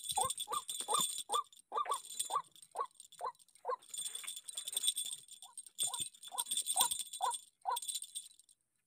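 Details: White-breasted waterhen provoked by a decoy, giving rapid harsh croaks in a regular series, interrupted by loud jingling, rattling broadband noise that drowns the calls for stretches.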